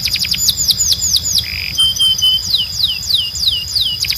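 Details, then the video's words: Timbrado canary, a song breed, singing for canary training: quick descending notes, a brief buzz, low flat piping, then evenly spaced swooping whistles and a closing fast flurry. "Canário Timbrado 🎶 Som de Alta Qualidade para Encarte e Treinamento"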